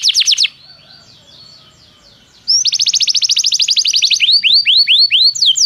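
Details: Canary song played to prompt another canary to sing: loud downward-sweeping notes, a quiet soft passage, then a fast, even trill and looping rising-falling whistled notes.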